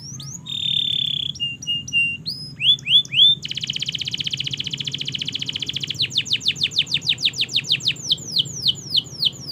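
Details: Long canary master song for learning birds: a steady whistled tone, short chips, a long fast buzzy trill, then repeated descending notes slowing into separate swooping whistles.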